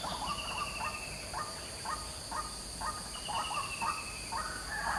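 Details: A white-breasted waterhen's noisy morning calling, short rough notes repeated roughly twice each second, with steady high insect drone running throughout.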